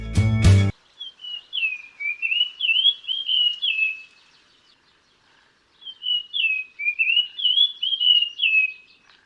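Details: Dull-blue Flycatcher, a Sri Lankan endemic, at Horton Plains National Park, giving two sweet, high warbled phrases of slurred whistles, each about three seconds long, after a brief thump at the start.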